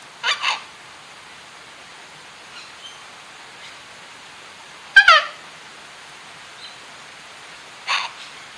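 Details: Three harsh, raspy screeches from a sulphur-crested cockatoo bathing in a gentle rain shower amid lush green foliage, the first doubled, spaced a few seconds apart over a steady hiss of falling rain.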